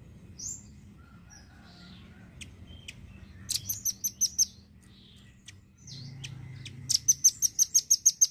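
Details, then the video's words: A lively velvet-fronted nuthatch, whose song serves as a tutor for songbirds, gives scattered high chips and then two bursts of rapid, piercing repeated notes. The second trill is longer, with about ten evenly spaced notes. "BURUNG RAMBAT GACOR...!! JENIS RAMBATAN PARUH MERAH YANG DI JADIKAN UNTUK MASTERAN BURUNG KICAU"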